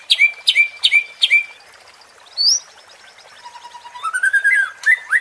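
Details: White-rumped shama (murai batu) provoking song for training contest birds: four loud clipped whistles in a row, a short high slur, then a long low whistle rising through a fast twittering run into emphatic upward notes.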